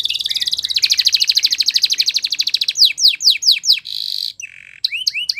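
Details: Belgian canary song: a fast rolling high trill, then a series of separate downslurred whistles, a harsh buzzy note, a short silence, and more sweeping downward notes.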